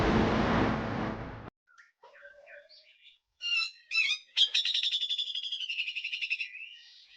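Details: Grey-cheeked bulbul giving a harsh full song with besetan phrases, recorded as training audio for songbirds. Loud broad rustling noise fills the first second and a half, then scattered scratchy notes, two harsh bursts and a long rapid buzzy trill.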